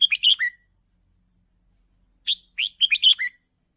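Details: Red-whiskered bulbul in a cage, singing for young birds to learn: a brisk chirpy phrase of rising and falling whistles, a pause, then a longer phrase of five or six bubbly notes.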